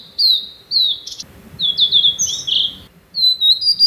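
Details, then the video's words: Territorial song of a blue-and-white flycatcher, one of two rival birds in Japan recorded with a shotgun mic: sweet high whistled slurs, a brief harsh burst, then several quick descending whistles and a rough trill. "オオルリ 鳴き声"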